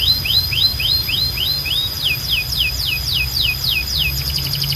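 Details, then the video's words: Canary singing a steady tour of about fifteen identical hooked, falling whistled notes, roughly three per second. The tour switches to a faster, higher rattling trill near the end, over a constant high tone and a low rumbling hum. "Ultimate Canary Singing Compilation – Loud, Clear & Relaxing Sounds"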